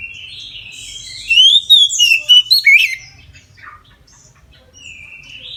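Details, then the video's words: Midday full song of an Oriental magpie-robin, meant to spur other magpie-robins into singing: after a quiet start, a loud run of about six clear slurred whistles and rasping notes, then faint trailing phrases. "KACER NGEPLONG SIANG HARI COCOK UNTUK PANCINGAN KACER AGAR NGEPLONG DAN RAJIN BUNYI"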